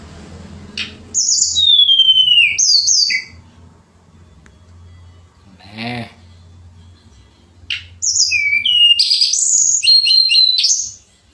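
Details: Pied fantail song for songbird contests: clear high whistled phrases, one long note sliding down, then bursts of chirps and twittering after a pause, with a brief bleat-like sound in between and a low steady hum.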